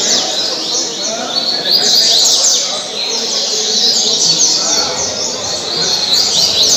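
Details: Caribe-style song of a kept double-collared seedeater from Mambucaba park, Brazil; high, sharp, descending chip notes woven into a rapid, continuous warble.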